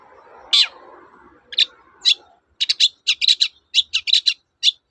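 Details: Long-tailed shrike in energetic full song, a lure for silent shrikes: harsh, buzzy chattering bursts, single notes at first, then quickening into clustered rasping notes several per second, over a faint low rumble during the opening seconds.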